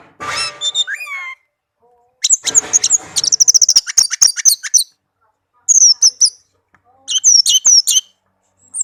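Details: Tame pet Orange-headed thrush with a varied melodious song: a noisy rising opening, then a rapid stuttering series of high piercing notes, and later clusters of whistled chirps after short pauses.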